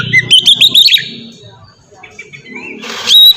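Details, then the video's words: Short ngeplong phrase from an Oriental magpie-robin, used to prompt untrained birds to sing: about a second of rapid whistled notes, then soft background sounds and a closing high whistle. "suara burung kacer ngeplong merdu sangat ampuh buat pancingan kacer bahan bikin cepat gacor"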